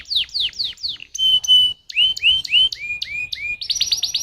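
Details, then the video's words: {'caption': 'Canary song used as a lure to prompt other canaries into singing: rapid series of descending whistled notes, then sustained tones and upward-sweeping slurs, ending in a fast buzzy trill.'} "Pancingan Burung Kenari Jitu Langsung Nyaut Kenari Mana Pun Bakal Ngerol"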